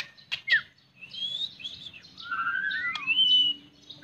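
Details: White-rumped shama singing a varied phrase of clear whistled slurs, some rising and some falling, interspersed with sharp chips, against a faint low hum.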